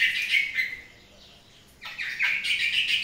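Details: Long-tailed shrike singing in the morning: harsh, chattering notes in quick succession, a short pause, then a louder burst of raspy, scratchy phrases.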